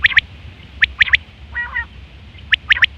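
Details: Female quail (batair) calling, recorded as a hunting lure: sharp paired and tripled high notes in short bursts, with a softer, lower nasal phrase in the middle.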